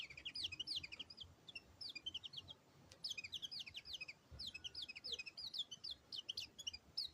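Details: White-eye singing a fast, high-pitched twitter of short slurred notes in dense bursts, broken by short gaps, over quiet background noise.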